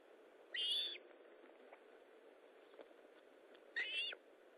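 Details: Osprey at its nest during feeding, 19 July 2012, 9:43: two short, high, whistled chirping bursts about three seconds apart over a steady soft background hiss.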